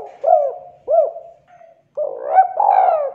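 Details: Lure call of a spotted dove used for trapping: two short, looping hooted coos, a brief pause, then a longer, rolling, slightly buzzy coo phrase that slurs downward.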